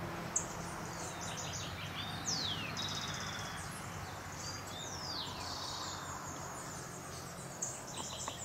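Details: Beryl-spangled tanager (Tangara nigroviridis cyanescens) at Sachatamia Lodge, Ecuador, in May 2012, giving thin, high, sibilant chips and quick downslurred notes at an irregular pace over a steady low background rumble.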